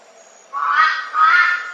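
Red-billed Brush-turkey giving two loud, harsh, raucous notes in quick succession, each about half a second long, with nothing else heard.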